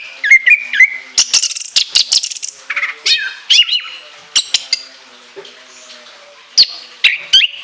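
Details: Orange-headed thrush singing a high, shrill song with long varied fill: whistled slurs, rising and falling notes, scattered sharp clicks and buzzy bursts, with short pauses between phrases.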